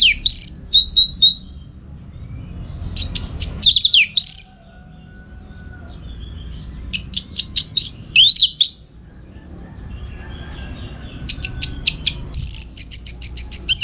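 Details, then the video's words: Orange-headed thrush in full song for training contest birds: repeated bursts of shrill chirps and curling whistles, a trilled run near the end, with gaps between phrases over a low background hum. "Masteran ANIS MERAH Gacor"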